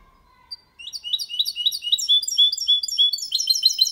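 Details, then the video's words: Goldfinch × canary hybrid singing a clean, error-free song in the copia malaga style, used to stimulate females and teach young birds: after a brief pause, a fast, continuous, high twittering run of repeated chirps that grows louder. "Mixto de Jilguero Cantando Limpio sin errores (copia malaga) Hybrid de Chardonneret chantant propre"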